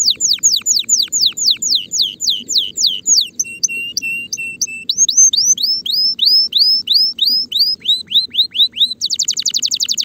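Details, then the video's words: Spanish Timbrado canary ready for mating, in song; rapid repeated downslurred whistles, a brief run of flat sustained notes, more falling sweeps, ending in a very fast high trill, low background hum throughout. "غناء طائر الكناري تمبرادو جاهز لتزاوج صوت الكناري"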